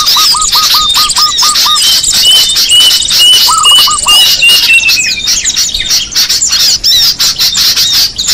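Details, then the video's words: Small birds in a lure recording: a rapid series of eight short, low chattering notes, a long thin steady whistle that slowly falls, and dense overlapping high twittering from several callers throughout. "Suara pikat burung kecil paling ampuh"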